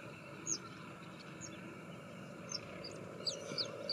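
Wire-tailed swallow giving short, high twittering chips, scattered irregularly and a few per second, over a steady background hiss.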